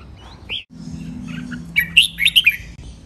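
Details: Red-whiskered bulbul training song in the len rik, nap dok, mae bot and lak wai styles: after a lone rising note, a rapid burst of bright, warbling whistled notes near the end, over a steady low hum.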